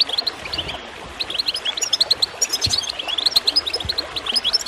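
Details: Bright goldfinch chirping and twittering, used to prompt other birds to sing, runs without pause in quick high bursts over a soft bed of gurgling water.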